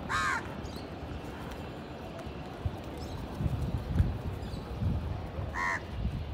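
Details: , house crow in an Indian village, where many crows gather to feed and fight over food: two harsh, buzzy caws, one at the start and one near the end, over a steady low rumble of background noise.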